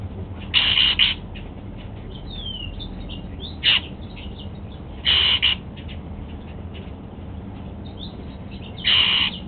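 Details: Male Golden-fronted Leafbird kept at home, eating apple for breakfast: several harsh doubled calls spread over nine seconds, one short sharp note near four seconds, and soft descending chirps and clicks between.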